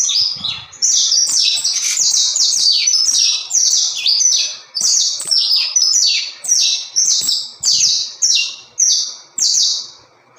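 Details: Brazilian canário-da-terra canary delivering a steady string of loud high trills and sweeping chirped notes, phrases repeated about once a second, clean and close with nothing else audible.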